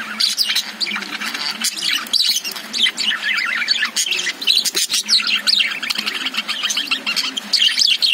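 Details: Caged lovebirds twitter busily, high chirps and short squeaky notes overlapping in quick, irregular bursts.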